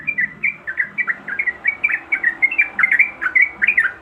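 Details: In breeding condition, a female yellow-vented bulbul calls to the male with a lively run of short, liquid, twittering chirps, growing slightly louder toward the end.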